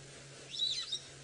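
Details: Brown-headed parrot squawking from the top of a knobthorn tree, where it was feeding, on a late-afternoon safari drive on 6 April 2018 in the Sabi Sand, South Africa: a single shrill, squeaky half-second squawk over a steady low hum.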